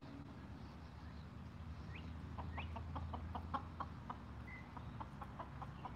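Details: During an evening watermelon snack, a flock of six Golden Comet hens is quiet at first, then breaks into a run of quick soft clucks at midpoint, with a couple of brief rising chirps from another bird.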